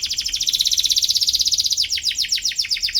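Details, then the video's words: Atlantic canary chirping to seek a rival, a song used to teach young birds; a loud, dense, fast buzzy trill held for almost two seconds, then quicker separated sweeping notes. "KENARI GACOR CUIT CUIT MENCARI LAWAN BIKIN EMOSI"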